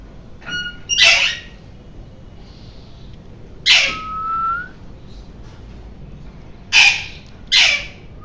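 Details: Rose-ringed parakeet known for its noise, delivering four harsh, grating screams at irregular intervals, with a brief rising whistle after the second and soft hiss in the pauses.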